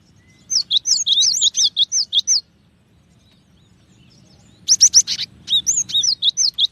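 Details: Bright, high, repeated whistled phrases from a cinereous tit, a rapid series, then several seconds of quiet, then a buzzy note and another quick series.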